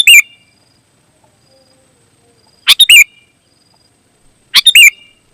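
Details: Sooty-headed bulbul giving loud lure song meant to draw other bulbuls: three brisk, bubbly phrases spaced about two seconds apart, each ending in a dipping whistled note, with silence between.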